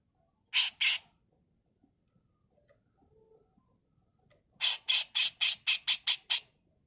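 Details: Grey-cheeked bulbul, a female, giving harsh mbeset kasar phrases for tutoring: two raspy bursts, a quiet pause, then a fast run of seven scratchy bursts, about four per second.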